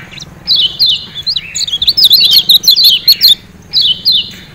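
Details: Kecial kuning, the Lemon-bellied white-eye of Lombok, Indonesia, used as a training song for captive birds: a dense, rapid string of high zigzag chirps lasting about three seconds, then a short pause and a renewed descending phrase.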